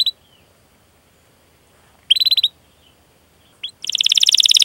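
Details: Canary singing in the chirping, rolling style used to stimulate other canaries: long quiet stretches with faint background hiss, a short buzzy burst, a brief note, then a loud, fast rattling trill at the end.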